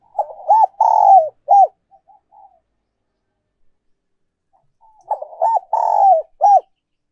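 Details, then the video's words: Spotted dove giving a decoy coo phrase in the 'giọng còi' ('giọng kim') style, heard twice about four seconds apart. Each phrase has quick choppy coos, a long sagging coo and a clipped arched final note, with quiet pauses between. "cu gay moi chuan mp3/ Giọng còi chuẩn nhất 2022"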